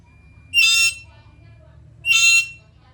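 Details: Black-capped lory calling actively: two strident, buzzy screeches about one and a half seconds apart, each under half a second, over a quiet low hum.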